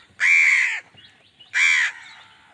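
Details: Crow calling angrily while wild birds fight it for food: two loud, rasping caws, each about half a second long, about a second apart, in an otherwise quiet background.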